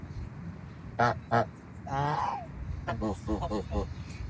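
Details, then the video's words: Farm geese calling: two loud harmonic honks, then a longer wavering nasal call, then a quick run of shorter honks near the end, over low background noise. "SOM DE GANSO CANTANDO, Barulho de Gansos"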